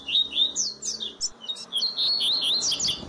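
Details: Double-collared seedeater (Sporophila caerulescens) tutor song, a model song for teaching young birds: a fast, continuous run of bright, high chirps and short warbled notes, with no pauses over three seconds, in a quiet indoor setting.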